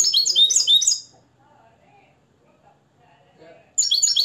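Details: Nest-reared Moroccan European goldfinch, hand-raised and tutored in the limpio song style: bright, rapid twittering phrases high in pitch. One burst opens, a pause follows, and the song resumes near the end.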